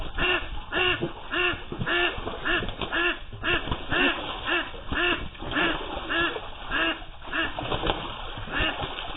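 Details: A female domestic duck about six months old, trapped under a pond platform after heavy rain raised the water and she dove when spooked, quacks loudly and urgently, harsh nasal quacks nearly twice a second in uneven bursts, with faint splashing.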